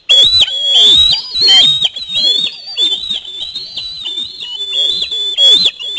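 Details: Osprey chick screaming as a parent flies in with a fish at the nest; a continuous run of loud, high, whistled screams with wavering pitch, barely pausing over several seconds.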